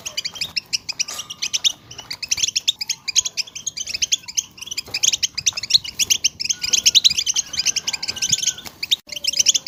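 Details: European goldfinch group chatter for stimulating goldfinches to sing; dense tinkling twitter running almost nonstop, building fuller toward the end, with a few thin level whistles mixed in.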